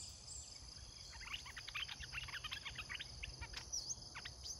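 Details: Caged red-whiskered bulbul kept as a decoy to lure wild birds: quick bursts of short chirpy, whistled notes, closely spaced then scattered, over a steady high insect drone and background hiss.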